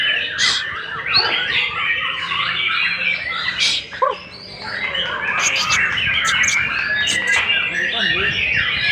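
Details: Captive white-rumped shama, a newly vocal young bird selected for breeding, singing a dense, fast medley of chattering notes, sharp clicks and short whistles. Loud broadband ticks and a brief low whistled dip come near the middle.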